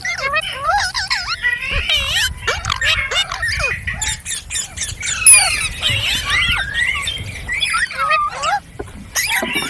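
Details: Steady chirping of green parrots, with quick, wavering whistled notes and scratchy chatter overlapping, plus a few sharp high squeaks.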